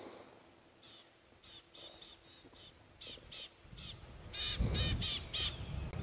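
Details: At sunrise on 14 August 2016, a Rattling Cisticola, unimpressed by a leopard on its termite mound, gives a harsh, dry rattling chatter of short high bursts, about four a second, growing louder, over engine rumble.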